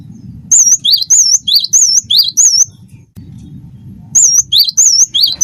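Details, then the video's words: ["Cinereous tit, 'wingko' style, a training recording: bright paired whistles, one swooping lower and one wavering high, repeated rapidly, then a pause of about a second and a half before the phrase resumes, with a soft low hum beneath."] "gelatik batu wingko gacor"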